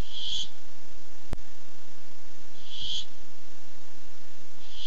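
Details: Raspy screeches from a Barn owl looking for food, 8-7-15: one at the start, another about two and a half seconds later, and a third beginning at the end, plus one sharp click.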